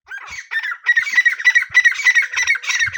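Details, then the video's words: A francolin (teetar) gives harsh, grating, squawky notes in a fast run of about three per second, steady and mid-pitched, with no other sounds. "Teetar best sounds | Francolin call"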